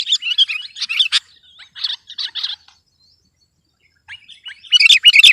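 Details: Sooty-headed bulbul delivering persistent competition-style song: rapid, scratchy twittering phrases, then a quiet gap of about a second and a half, ending in a loud, dense burst of chirps.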